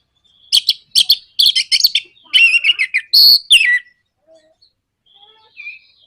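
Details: Orange-headed thrush singing in the nraktak konslet style, a lure meant to provoke other birds into singing: rapid bursts of sharp high chattering notes, then slurred whistled phrases and a loud buzzy note, fading to faint quiet notes.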